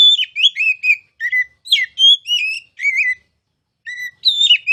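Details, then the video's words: Kacer, the oriental magpie-robin, in masteran song: clear, ringing whistles and sharp slurred notes in lively bursts, with one longer silence before a final cluster. "KICAU MASTERAN KACER CALON JUARA!!!"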